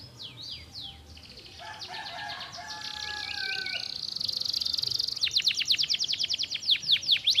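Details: Canary delivering a stimulating song: a few swooping notes, a long buzzy sustained trill, then a fast, loud rattle of evenly repeated sharp downward chirps.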